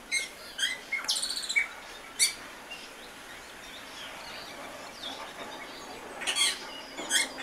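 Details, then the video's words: Austral thrush giving short, high chirping and whistled phrases in scattered bursts, with quiet gaps between them and faint background hiss. "Tordo do Chile"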